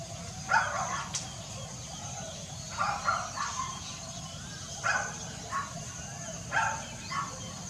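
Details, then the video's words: African grey parrot recorded on 5 April 2020, giving short harsh squawking calls, some in pairs, spaced one to two seconds apart over a steady low hum and a faint constant high tone. "African Grey Parrot"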